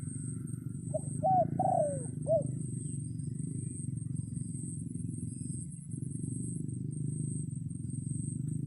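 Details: A single hoarse crow from a red junglefowl rooster calling wild birds in rainy weather, short lead note, wavering phrase, long sliding note and brief end note, followed by several seconds of low steady rumble.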